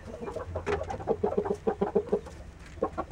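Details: Saigon green-legged rooster clucking in a rapid series of short, evenly spaced, mid-pitched notes, about eight in quick succession, then a pause and a few more.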